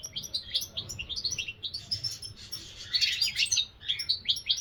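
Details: Continuous twittering goldfinch song with dense, liquid high chirps and rapid trilled phrases that peak in loudness around the third second.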